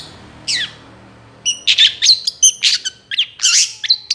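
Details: Long-tailed shrike song of the rich, varied gacor type with mimicked phrases, kept as a master recording for training other birds: a falling whistle, a pause, then a run of sharp chirps, clicks and short whistles.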